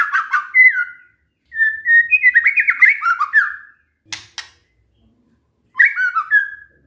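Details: White-rumped shama singing as a lure to draw replies from other shamas. Bright whistled phrases with quick descending slurs come in three bursts separated by short silences, with a brief scratchy note between them.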